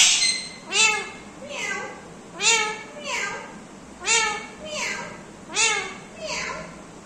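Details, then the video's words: Indian ringneck parrot talking: harsh, harmonic-rich bursts repeated roughly every 0.8 seconds, each a nasal sweeping syllable like a spoken word or meow, with quiet room background between utterances. "smart parrots talking mithu beta"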